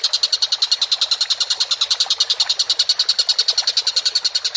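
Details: Vigorous tengkek buto, the Collared kingfisher, delivering an unbroken rattling series of loud, harsh, regularly spaced notes, around seven or eight per second, for over four seconds.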